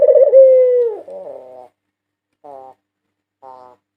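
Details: Champion white Barbary dove of 2022 giving a single full coo that falls in pitch, followed by two short soft nasal notes about a second apart.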